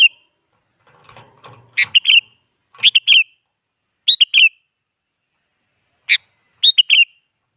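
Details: Sooty-headed bulbul lure song to make other bulbuls answer: bright bubbly phrases of three or four quick whistled notes at irregular intervals, with a brief soft rustling or scraping early on.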